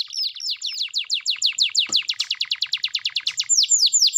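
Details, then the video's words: Singing canary used to coax idle canaries into song, delivering a steady series of sharp, descending whistled notes repeated quickly, ending with slightly lower, broader sweeps. "KENARI MACET MALAS BUNYI,, sekali putar suara burung kenari gacor ini di jamin bakalan nyaut bunyi"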